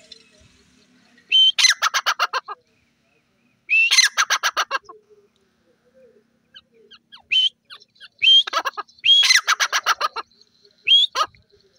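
A francolin gives loud, harsh phrases: a rising squeal followed by a rapid train of rasping notes, repeated every two to three seconds.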